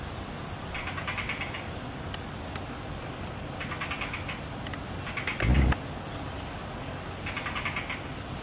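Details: Female blue rock thrush bringing food to a fledgling in an apartment corridor on 16 May 2021 gives alarm calls at the observer: thin, high notes every second or two with short rattling bursts, over low rumble and a brief thump.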